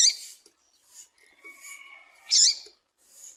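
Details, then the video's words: Female papa-capim, the double-collared seedeater, giving calls meant to excite males: a sharp high chip, then faint thin sustained tones, then another loud bright chip and a softer trailing note. "Piado de fêmea de Papa capim para Esquentar e foguear Papa capim"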